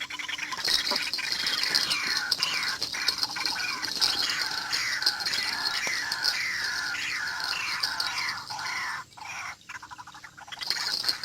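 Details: White-breasted waterhen lure call for trapping birds with a decoy: rapid, harsh, chevron-shaped notes repeated several times per second in a dense run, over a steady high-pitched whine, with a short quieter gap near the end.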